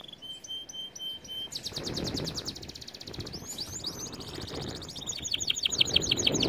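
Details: Canary song meant for teaching canaries: a thin chopped trill gives way to very fast high rattling tours and slurred notes, over a low background rumble.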